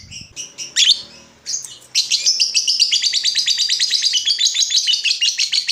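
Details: Lovebird in full voice, used as a lure to make other lovebirds answer with ngekek song. A few sharp high chirps, then a long, fast, shrill chattering trill of rapidly repeated notes that runs to the end.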